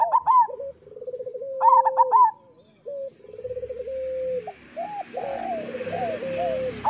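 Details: Local zebra dove master song for coaxing lazy doves to sing: bright high notes, then long trilled coos, a loud burst, and more rolling coos with a faint background hiss.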